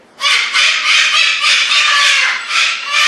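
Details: Cockatoos displaying, loud harsh raspy screeches in long sustained bursts, three surges with brief dips between, filling the whole stretch.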